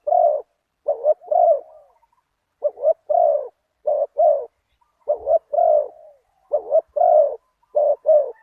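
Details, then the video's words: Decoy spotted dove (nok khao yai) cooing in the 'big voice, one kuk' style while luring a target bird. It repeats paired short coos followed by a sustained, slightly falling coo, steadily throughout, with a faint thump midway. "ต่อนกเขาใหญ่ ตามตัวหมาย เสียงใหญ่ 1 กุก"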